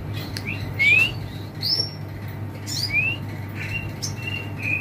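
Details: A moulting AF canary in a bird kiosk, bright-coloured and long-bodied, gives short, bright rising whistles and chirps, scattered irregularly across a few seconds, over a steady low hum and shop background.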